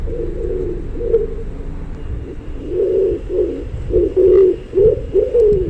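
Several pigeons coo in low, throaty, rolling phrases, about one each second and often overlapping. A faint room hum runs underneath.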